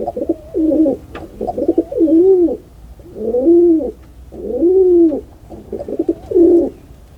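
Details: Pigeon cooing indoors: five loud, low, throaty coos, each a rolling arched phrase about a second long with brief pauses between, steady and clear with little other sound.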